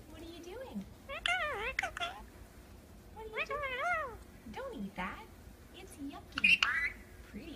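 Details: Indoor pet Indian ringneck parakeet talking and making kissing noises: wavering, harmonic, speech-like phrases in two bursts, then a sharp smacking sound near the end.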